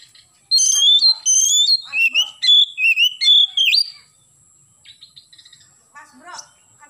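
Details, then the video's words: Morning song of an oriental magpie-robin: about three seconds of loud, varied whistled phrases with sliding and stepped notes, then quieter scratchy chattering notes, over a constant faint high whine. "KACER GACOR pagi hari nembak"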